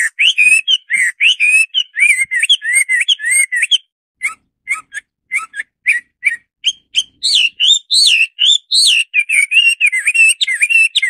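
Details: Hwamei, Garrulax canorus, singing a loud, varied run of rich whistled phrases, rapid slurred and warbling notes rising and falling, with short sharp chips and brief pauses between bursts; no other sounds stand out.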